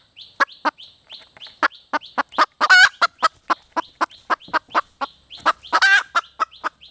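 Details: Red junglefowl hen vocalizing: loud, abrupt clucks repeated irregularly, with two longer harsh squawks, over a steady background of thin, descending high chirps.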